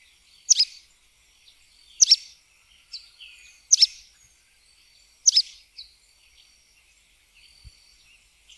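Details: A sooty tyrannulet (joão-pobre) gives four sharp, high, sputtering phrases at roughly one-and-a-half-second intervals. Softer thin notes follow, then a faint low knock near the end.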